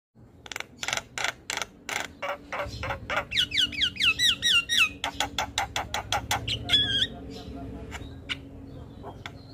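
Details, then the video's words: Javan myna in nonstop 'gacor' chatter: a fast regular series of dry clicks, over a hundred a minute, with a run of stacked rising whistled notes woven through the middle. "Jalak kebo gacor Ngoceh tak Henti Henti"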